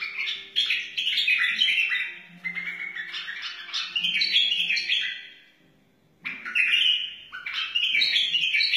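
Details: Wild white-eared bulbul singing, played to train chicks and spur other bulbuls: energetic warbled phrases of clear whistles repeated over several seconds, a silent gap near the sixth second, then renewed loud bursts.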